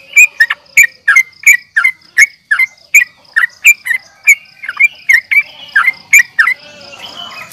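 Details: Yellow-vented bulbul fighting call for luring rivals: evenly paced sharp chirps, roughly three per second, which stop abruptly and leave a soft background hiss.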